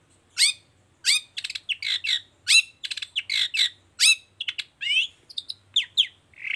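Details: Long-tailed shrike in energetic 'toet toet' song, used to prompt other shrikes to sing: a varied run of sharp, downslurred high notes, rapid stutters and short whistles, each phrase separated by brief pauses.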